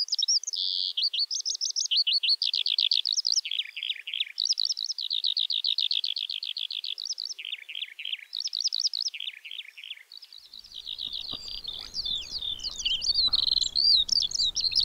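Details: Eurasian skylark (Alauda arvensis) pouring out a long, rapid, chattering warble of high ticking trills and chirps. Low rumbling wind or handling noise joins in the last few seconds.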